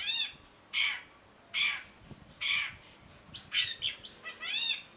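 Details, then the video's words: Cendet, the long-tailed shrike, singing a masteran tutor phrase: three drawn-out harsh rasping notes spaced under a second apart, then a quick burst of varied high whistled and chattering notes, low background hiss. "cendet gacor MASTERAN CENDET BAHAN AGAR TIDAK MACET SUARA || Long-tailed Shrike"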